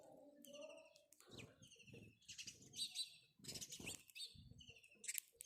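House Sparrow giving repeated bright, sharp chirps in quick bursts, with people talking in the background.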